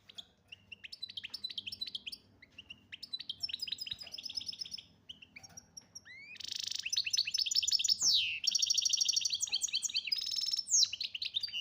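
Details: An Algerian European goldfinch sings a long phrase. Soft twittering notes build into loud buzzy rattles, fast tinkling trills and swooping whistles, growing denser and louder toward the end over a faint low hum.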